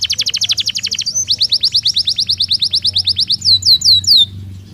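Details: Belgian canary singing naturally: fast repeated trills of high notes, switching to a different rapid trill after a second, then slower descending whistled notes near the end, with a low hum underneath.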